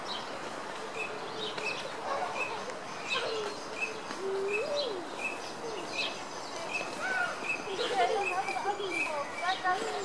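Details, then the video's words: Courting Eurasian teal drakes at Royal Burgers' Zoo give short, clear, high whistled 'krik' notes, repeated every second or so, over lower curving calls from other waterfowl and a steady background hum. "Common teal courting"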